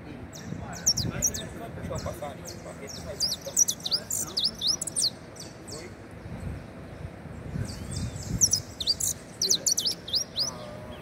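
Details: Saffron finch singing a rapid series of high, sharp chirps and short slurred notes in bursts, pausing briefly around the middle, over low background rumble and faint voices.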